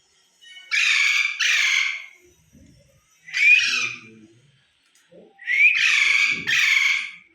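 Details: Pet talking parrot kept at home with its owner: harsh, broadband squawks in two pairs and one single burst, each lasting about half a second, with faint low murmuring voice sounds between them.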